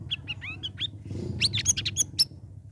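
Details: Sooty-headed bulbul, caged and trained for three weeks in ombyokan sessions, ngeriwik ngeplong style: short whistled slurs, then a quick string of high bright chattering notes over a low rumbling background.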